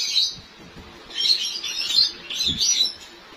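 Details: White Java sparrows held by breeders in Lahore as their breeding season is about to start, chirping in bursts of high, busy twittering notes that come in waves roughly every second, with low background rumble and clatter.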